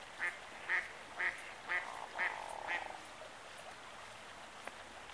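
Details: Hooded merganser calling excitedly while swimming: six short, clipped calls, about one every half second, then quiet with only faint background hiss.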